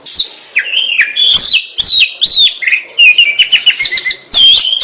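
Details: Oriental magpie-robin (kacer) singing energetically: quick whistled phrases dipping and rising, interleaved with scratchy notes, building into a dense stream of short clipped whistles.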